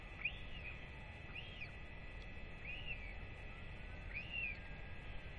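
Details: Northern royal albatross chick during a visit from both feeding parents, 8 October 2024; four arched, whistled calls, spaced unevenly, over a continuous low rumble of wind.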